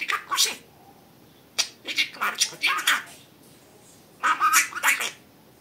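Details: Talking pet budgerigar chattering in rapid, raspy, speech-like phrases, short bursts with brief gaps, in a quiet room.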